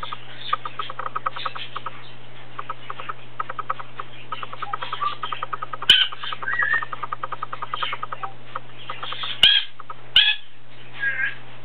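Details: Indoor plum-headed parakeet chattering in quick soft ticks for several seconds, then sharper whistled squeaks and short bright chirps in the second half, a low mains-like hum running throughout.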